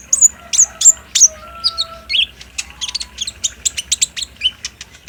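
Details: Lure song of the olive-backed sunbird, known locally as kolibri ninja, used to coax a caged bird into answering and singing: a run of high, bright, downslurred chirps followed by quick clipped ticks and twittering.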